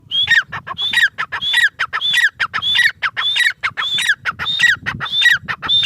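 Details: Grey francolin (teetar) calling: a loud, rhythmic series of harsh phrases, each a high whistled note followed by a falling, scratchy tone, repeated steadily about every half second throughout, with faint low rumble beneath.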